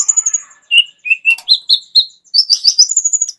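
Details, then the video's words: Kept kolibri ninja sunbird, praised for a full, luxurious repertoire and used to tutor other songbirds: thin high whistles, then a string of clear descending and rising whistled notes, ending in a rapid high twittering run. "KOLIBRI NINJA MEWAH ISIAN LENGKAP COCOK JADI GURU VOKAL UNTUK BURUNG JAGOAN KALIAN"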